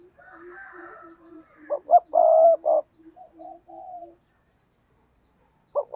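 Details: Spotted dove kept as a decoy, cooing in a fast, intense style: soft background coos, then a loud phrase of short hollow notes and a drawn-out coo, and the start of another phrase.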